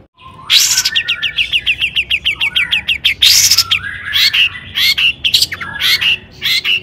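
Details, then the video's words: Long-tailed shrike in full song, used as a lure to provoke other shrikes to sing in the toet toet style: harsh raspy bursts, a fast run of short rising notes, then more scratchy, broken phrases. "cendet gacor AMPUH TOET TOET PANCINGAN CENDET AGAR BUNYI"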